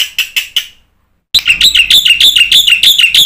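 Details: Black-winged myna singing briskly, played to trigger silent birds into calling: four quick buzzy notes, a second of silence, then a fast, steady string of bright, ringing buzzy notes about five per second.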